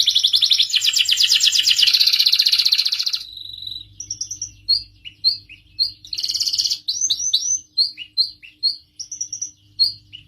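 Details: Excited canary song played to stimulate males to mate and sing: a dense, fast high trill for three seconds, then a run of sharp repeated chirps and short rattling bursts, bright and high-pitched throughout.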